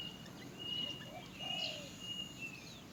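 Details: A great myna (Acridotheres grandis) chick in the nest begging its mother for food: thin, high, squeaky cries, drawn out and repeated, over a steady hiss of background noise.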